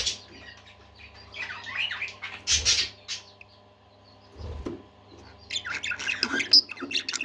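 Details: Budgerigars singing indoors in bursts of warbling chirps and scratchy chatter, broken by two dull thumps and a pause, then a lively, busy run of squeaky notes at the end.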